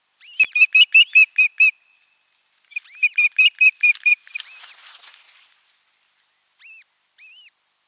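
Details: Ospreys at a nest in Satakunta, Finland, on 6 June 2023, give a quick series of high, clear whistled chirps in two bursts of about seven notes each, then a few softer, upslurred single whistles.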